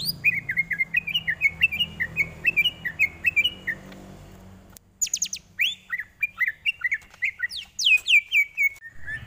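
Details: Greater green leafbird tutor song for training, a busy chattering run of short mid-pitched whistled notes, a brief break, then high sweeping slurs and quick chips that tumble downward.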